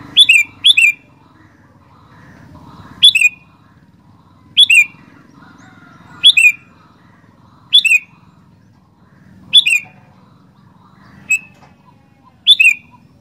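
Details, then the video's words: Sooty-headed bulbul singing actively, repeating brief bright phrases of two falling notes about every one and a half seconds, starting with a quick double phrase, over a faint low hum. "Burung Kutilang Gacor Doooor"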